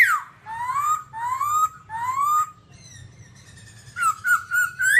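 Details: Babbler giving a falling whistle and then three long rising whistled notes, a short gap, and a few quick wavering whistles, with a low hum in the background.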